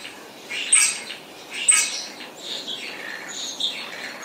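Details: Spotless starling giving rasping, chattering song with two sharp high whistles early on, then softer buzzy warbles.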